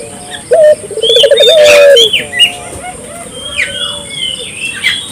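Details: Barbary dove calling to encourage local doves to join in: one low phrase of a short note running into a rapid rolling trill, after which other birds keep up sharp chirps and sliding whistles.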